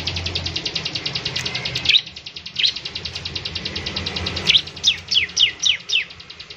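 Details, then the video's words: Bar-winged prinia in active song, used to set other prinias singing: a steady rapid run of high buzzy ticks, broken by a few sharp notes, ending in loud downslurred chirps. "ciblek semi gacor, memancing ciblek semi cepat bunyi"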